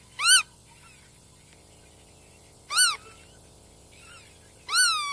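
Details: Black-tailed godwit giving three arched, nasal notes that rise then fall, each brief and loud, repeated about every two seconds against faint background hiss.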